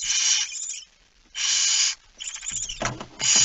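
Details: Barn owl with a mouse, recorded 17 September 2019 at 01:49: two rasping, noisy hisses, then a broken, scratchy stretch with soft knocking and shuffling before a final hiss begins.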